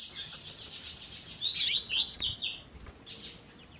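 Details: A fast pulsed trill opens, then a Double-collared seedeater's slurred tui tui zel zel whistles and another brief trill, from a recording mixing the song with a female's calls.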